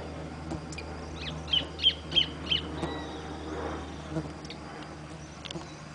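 An orange-breasted thornbird gives four sharp, high notes in quick, even succession, then falls quiet over a low background hum.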